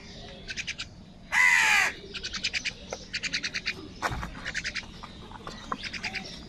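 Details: Morning crows squabbling over food: one loud, rasping caw early on, surrounded by rapid, repeated chirping trills from other small birds throughout.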